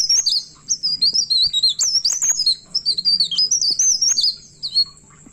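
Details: Pied bushchat at midnight delivering an unbroken rolling ngerol song: quick high warbled whistles that rise and fall in looping twists, linked by brief sharp ticks, over a steady faint low hum.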